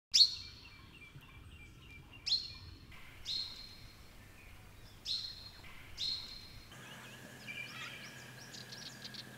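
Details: Brown treecreepers (eastern subspecies Climacteris picumnus victoriae) using a nest box in late August 2018 on restored woodland property in the Capertee Valley, NSW: sharp, high, down-slurred notes about a second apart, then softer high chirps over background hiss.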